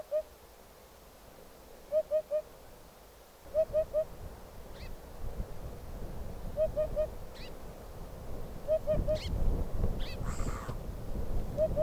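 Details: Wild Eurasian hoopoe song: soft, low hollow triple hoots, oop-oop-oop, repeated in evenly spaced series about every two and a half seconds, with faint higher bird notes and growing rumbling background noise.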